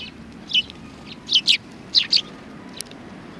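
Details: Recorded 30 January 2020 at Tenmangu shrine, sparrows on a bench utter a handful of clear, separate high chirps, mostly in pairs, spaced about half a second apart in otherwise quiet surroundings.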